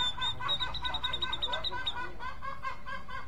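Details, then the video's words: A grey-cheeked bulbul (cucak jenggot) delivers quick repeated high notes, roughly five per second, mixed with lower rough chattering. The phrase trails off into softer repeated chirps. "Cucak jenggot mencari teman karaoke"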